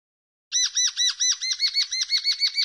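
A common linnet sings a quick, even run of about a dozen bright, arched twittering notes, roughly five a second, with nothing else heard.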